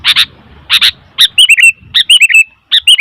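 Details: Sooty-headed bulbul calling noisily: harsh doubled chips alternate with rolling, bubbly phrases of several liquid notes, repeated with short pauses.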